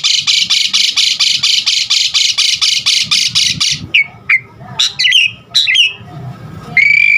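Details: Varied starling song meant to make caged Asian pied starlings sing: a fast train of harsh, buzzy rasping pulses, about four per second, followed by scattered clear whistles and a final sustained note.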